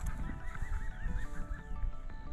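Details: European green woodpecker calling in the background on a hike near Cefn Yr Ystrad, Brecon Beacons, Wales: about eight quick, ringing laughing notes falling slightly in pitch, half-buried under low wind rumble.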